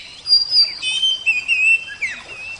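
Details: Oriental magpie-robin singing a quick run of clear whistled phrases, bright sliding notes and a short falling slur, in a recording meant as therapy alongside the sound of water.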